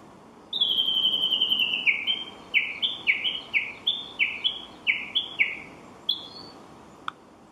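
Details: Japanese bush warbler, heard but unseen, giving a long whistled note, then about nine quick, clear, falling whistled notes repeated in a rhythmic series, ending with a brief higher note.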